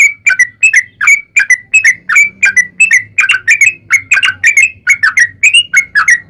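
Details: Sooty-headed bulbul lure song meant to provoke bulbuls into singing: a long run of short bubbly notes, each sliding down, repeated roughly twice a second, with faint low hum beneath.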